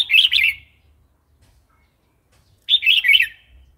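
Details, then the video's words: Red-whiskered bulbul singing the wild-style song (phleng pa), used to provoke new and wild-caught birds and to teach young ones: two short, bright warbled phrases of rolling notes, about two seconds apart, in otherwise quiet surroundings. "เสียงนกกรงหัวจุก เพลงป่า"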